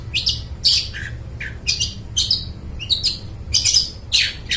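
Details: Long-tailed shrike singing loudly and clearly, for luring mute shrikes into song: rapid series of harsh, scratchy chirps and squeaky notes, about two per second, with brief rasping slurs.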